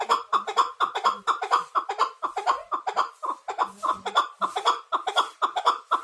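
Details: Chukar partridge, described as a hunting partridge: a fast, steady run of hoarse clucking notes at one pitch, roughly two per second, each note short and rasping, continuing for the whole stretch with no other clear sounds.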